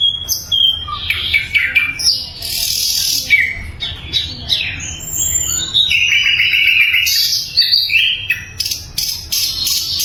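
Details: Flycatcher (sikatan londo) singing loudly and clearly, used as a training recording for other songbirds: fast, varied high chirps, sharp whistled notes and buzzy bursts in a continuous stream.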